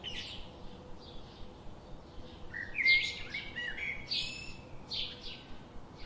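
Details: Birds chirping with a quick series of bright, high tweets and a clear sliding whistled phrase in the middle, followed by buzzy high chirps, over low constant background noise.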